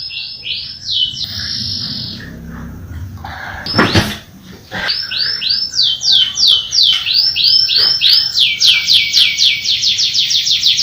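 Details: Canary roll song: a brief trill and pause, a sharp knock or click near the middle, then a long series of bright, quickly repeated down-curving whistles speeding up toward the end.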